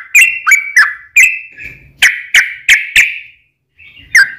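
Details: Fighting song of a yellow-vented bulbul, meant to goad other bulbuls to sing: a few spaced, sharp bubbly whistles, some trailing off, with a brief silence before a final note.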